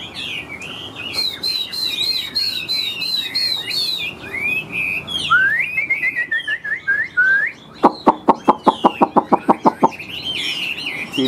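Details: Chinese hwamei, caged, large-bodied with yellow legs and bill, singing laughingthrush-tail style song. It sings rich, varied whistled warbles and slurred notes, then gives a rapid run of about fifteen sharp, evenly spaced staccato notes near the end.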